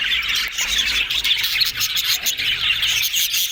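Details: Yellow budgerigars in happy, constant chatter: overlapping bright chirps and scratchy warbles pour out, with a faint low hum in the background.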